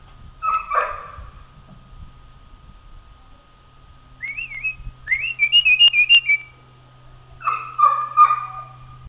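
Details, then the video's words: Song of a common blackbird: a low mellow warble, a pause, then a rising whistle into a fast trilled phrase. It closes with another low rich fluting burst, over a constant faint low hum. "canto del merlo"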